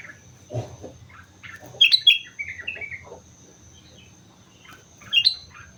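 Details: Sooty-headed bulbul in lively song at Mount Slamet, giving a quick run of clear, bubbly whistled notes led by sharp high accents, then a pause and one more bright note near the end, over faint low rumble.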